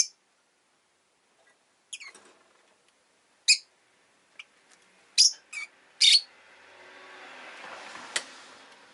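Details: Two pet rosy-faced lovebirds huddled together at the entrance give sharp, high chirps, scattered singly and in quick pairs, then a broad rushing hiss swells in the background near the end.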